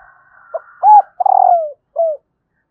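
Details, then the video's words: Female spotted dove calling to stimulate males: a short soft coo, then a drawn-out cooing note sliding downward, and a final brief falling coo, all low and mellow, over a faint steady background hum. "Tiếng cu mái kích trống"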